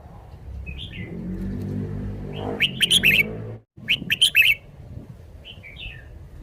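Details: Red-whiskered bulbul kept in a cage, showing off its song phrasing: two quick bursts of four to five sharp, bright chirps, each separated by a low rumbling noise and a brief silence, with softer notes at the start and end.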